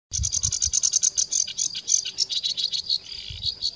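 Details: A sedge warbler perched on a reed sings a fast, scratchy run of high chattering notes, about three a second, shifting into varied churring and buzzy phrases; faint low rumble beneath.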